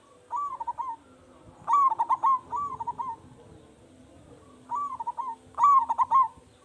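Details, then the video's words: Zebra dove of a local strain, praised for its big voice and used to prompt other doves into song, gives bubbling cooing phrases, a quick run of soft pulses closing on a sustained coo, in pairs with short pauses. "Perkutut Lokal Gacor Suara Besar"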